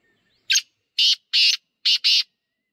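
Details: Wild black francolin calling outdoors: five loud, harsh, rasping notes, a short opener followed by two longer bursts, then a quick closing pair, all delivered within about two seconds against a quiet background.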